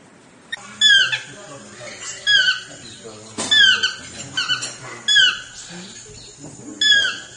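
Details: Chestnut-mandibled toucan, or Swainson's toucan, calling in loud yelping bursts with a steeply falling first note, repeated roughly every one to two seconds over a low steady hum.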